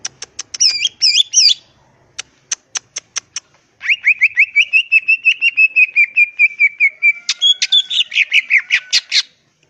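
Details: Wild greater green leafbird song, varied and used to make rival birds call back: squeaky warbled phrases, spaced sharp ticks, then a long rapid string of repeated whistled notes ending in buzzy chatter.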